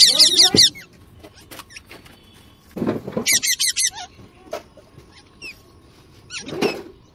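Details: Parrot near flowers and water lilies giving short runs of fast, harsh, high chattering notes, pausing between bursts, with low knocking sounds and scattered chirps in between.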